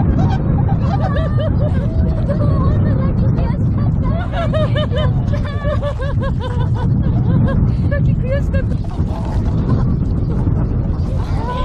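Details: Flock of tundra swans at a wintering site on a sparkling river in Kawajima, Saitama, Japan, on 4 February 2017, giving overlapping, mellow honking calls, many birds at once, over a steady low rush of water and wind.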